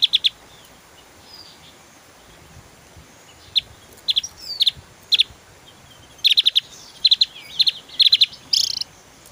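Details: Javan grey-throated white-eye in 'tembakan' song, used as a master recording for cage birds: scattered high chirps building into denser bursts of quick twittering notes, ending with a short rasp.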